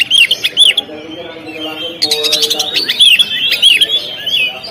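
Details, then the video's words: Oriental magpie-robin on the contest stand, singing bright looping whistles and trills in quick succession, with a low droning hum underneath for a moment in the middle. "SUARA BURUNG KACER, Langsung on di gantangan"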